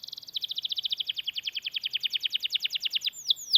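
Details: Canary in full voice singing a long roll meant to teach and stimulate other canaries: an even, rapid series of repeated high notes at a steady beat, ending in two sharp downward-curving whistles.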